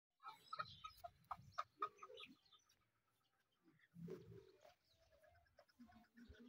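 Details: Male and female desi teetar, or partridge, calling during a fight: a quick run of sharp, clear repeated notes in the first two seconds over low, rough scuffling sounds, then scattered harsher calls and rustling.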